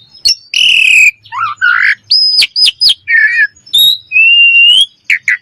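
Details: Common myna giving a varied run of notes: a harsh harmonic squawk, short rising and falling whistles, sharp clicks, and a long upslurred whistle near the end, all loud and close with quiet gaps between.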